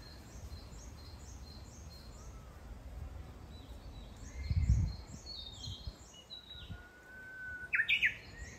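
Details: In the new-leaf forest of Kitayama, Kyoto, June 2022, a Japanese bush warbler holds a long level whistle and ends with a sharp, twisting flourish. Steady high ticking chirps continue behind it, with a low thud midway.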